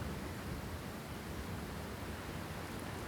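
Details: Steady broadband rumble like distant surf or wind, with no animal calls heard.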